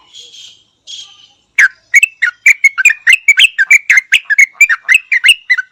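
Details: Yellow-vented Bulbul in Thailand: two soft buzzy notes, then a lively run of about twenty loud, sharp, chattering notes that rise and fall, repeated several times a second to the end.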